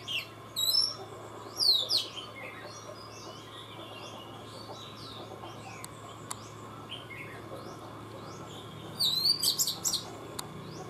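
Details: A captive Oriental magpie-robin, hung in a tree at a house in Vietnam, sings short bursts of bright, varied whistles and quick sweeping notes, three phrases spaced over several seconds, with a steady low hiss between.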